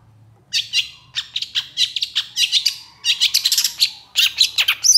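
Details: Long-tailed shrike, called pentet or cendet, singing gacor in an excited style with long bursts, used as a mastering recording: after a half-second quiet, dense scratchy chattering and sharp high chirps follow in quick phrases, with a faint low hum underneath.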